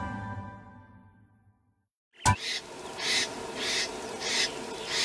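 Great Spotted Cuckoo giving harsh, grating bursts repeated about every two-thirds of a second, after a brief stretch of soft music and a sharp click.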